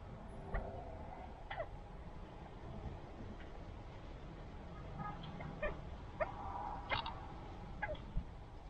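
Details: Chukar partridges kept by their owners calling in scattered short bright notes, a few near-doubled, irregularly spaced over several seconds against steady low background hum.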